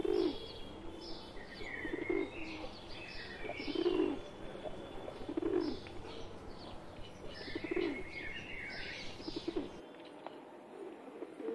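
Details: A pet pigeon among wild pigeons, deep rolling coos every couple of seconds, mixed with high chirps of other birds. The background drops quiet near the end.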